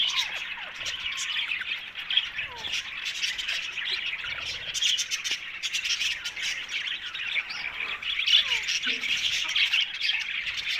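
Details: Ringneck parrots chattering while eating: dense, overlapping harsh squawks and short chirps, some sliding downward, forming a continuous noisy chorus throughout.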